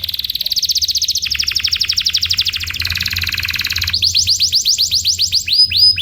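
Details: Canary tutor song for training birds: long rapid trills in blocks, first a fast high rattle, then lower pulsed trills, then loud looping upslurred whistles near the end, with a low hum underneath.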